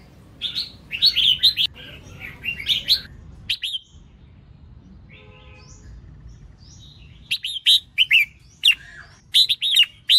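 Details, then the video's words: Female red-whiskered bulbul singing to prompt males to sing: clusters of sharp, bright chirps and short warbles, a quiet stretch of several seconds in the middle, then a renewed burst of crisp notes. "Tiếng chào mào mái kích trống hót líu lo"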